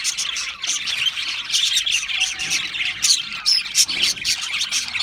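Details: Australian parrots produce a lively stream of high chirps, squeaks and short whistled notes. Several birds call at once, with a few clear, pure tones standing out.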